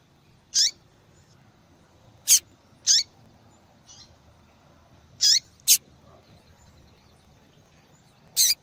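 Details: Female yellow-bellied seedeater calling to stimulate the male's singing; short sharp high chips, sometimes with a downward tail, given irregularly about every one to three seconds, with a couple of fainter notes between, over quiet background hiss.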